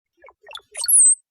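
Male Brown-headed Cowbird: two quick clusters of low, liquid, bubbling notes like water droplets, then a thin, very high whistle that slides up and eases down.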